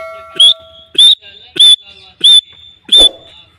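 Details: Kept grey francolin, a pet partridge in Pakistan, calling as its breeding season begins: five sharp, high whistled notes, each a short upward stroke, repeated about every 0.6 seconds, with faint steady tones before the first.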